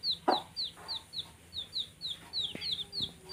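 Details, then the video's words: A brood of baby chicks at play, chirping rapidly: a nearly continuous run of high, downward-sliding peeps about three per second, with a few scratchy knocks and tapping noises. "Baby Chicks Chirping Sounds (cute playing)"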